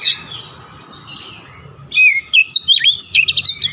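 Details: Oriental magpie-robin giving its "shooting" song: a softer warbled opening, then a burst of sharp, rapidly repeated whistled notes jumping up and down in pitch.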